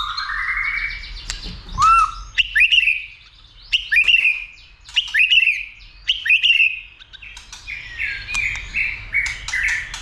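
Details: White-rumped shama being trained and stimulated to sing heavily and fight, flicking its tail; loud varied whistled phrases, rising and falling slurs and sharp notes in bursts roughly every second, ending in a run of quick descending whistles.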